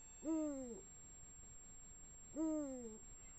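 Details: Female and male Eurasian eagle-owls calling at 1:01 am on 16 March 2017; two deep, rich, falling calls, each about half a second long, spaced roughly two seconds apart, against a quiet night background.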